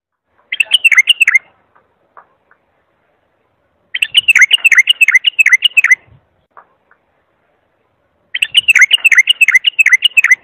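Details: Bulbul song, chosen as a clear model for tutoring young birds: three bursts of rapid, down-slurred whistled notes, each phrase about a second or two long, separated by quiet gaps with a few soft clicks.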